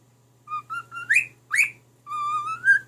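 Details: Caged pet cockatiel whistling a tune to its mate: short pure notes stepping upward, two sharp rising swoops, then a long steady whistle that climbs slightly at the end, with a low electrical hum beneath.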